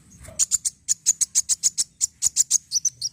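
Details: Kolibri wulung sunbird song played to provoke singing: an unbroken string of evenly spaced, piercing high chirps, about five per second, ending in slightly lower twittered notes.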